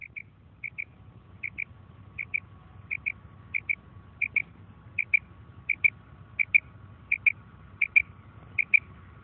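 Female common quail giving short, high paired notes, a quick double 'kri-kri' repeated roughly every three-quarters of a second, over a faint low hum.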